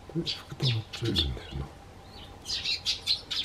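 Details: Tree sparrows greet a man at his garden bench. Low human speech opens the moment, then a run of high, clipped chirps follows, repeated about twice a second.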